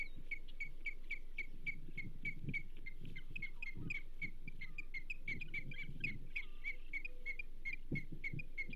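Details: At the Charlo nest, 27 April 2024, an osprey repeats clipped, high whistled chirps at an even quick pace, about three or four a second, during a whole whitefish delivery for the banded female, with low rustling and wind.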